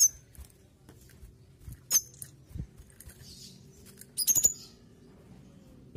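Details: A mountain tailorbird in lively song gives very high, thin whistled notes in a few short, sharp bursts about two seconds apart, over a low steady background hum.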